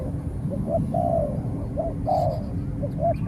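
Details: Spotted dove exchanging calls with a rival wild dove during a decoy session, the wild bird keeping its distance: soft, throaty coo phrases repeated about every second, rising then falling, over constant low rumble.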